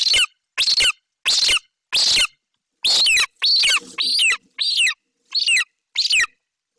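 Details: A young golden eagle in Bucovina, 28 July 2021, keeps screaming before eating the magpie its mother delivered. Four even, harsh shrieks, then a quicker, more uneven run of falling, squealing cries with a faint low rumble in the middle.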